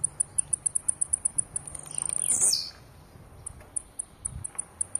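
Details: Blue-black grassquit singing aggressively: very high, thin notes repeated rapidly about four times a second, broken by a louder buzzy, descending phrase midway, then more widely spaced high ticks over a quiet background.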